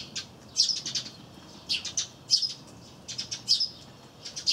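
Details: Eurasian tree sparrows chirp busily near a wreath-shaped peanut feeder where a great tit feeds, on 3 April 2013. Short, bright, high-pitched bursts, several per second in clusters, repeated throughout.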